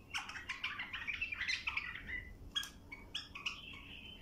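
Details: Bulbul song meant to teach young birds: rapid chattering warbles that blend into a drawn-out trill, followed by a few clear, sweet whistled notes with brief gaps between them.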